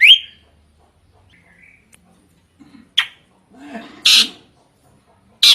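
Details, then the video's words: Loud drongo song: an opening rising whistle, a soft short phrase, then sharp harsh cracks and a raspy burst of noisy notes, ending on another abrupt harsh call. "Kicauan Unik Srigunting Gacor Suara Kencang Bervariasi"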